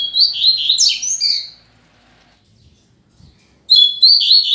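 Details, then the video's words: Rusty-collared seedeater kept as a tutor bird to teach song, one of a pair: high, fast twittering warble for over a second, a pause of about two seconds, then the phrase starts again. "Coleiro Professor Aprendizado"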